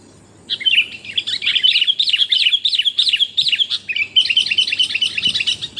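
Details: Female sooty-headed bulbul calling to the male, a recording used to lure wild birds: dense, bubbling high chatter of rapid twittering notes running almost continuously for five seconds, with a brief pause near the end.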